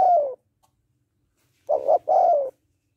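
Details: Spotted dove hen calling to rouse a male: the tail of a falling croo, a pause, then one phrase of a brief doubled coo and a longer downward-sliding croo.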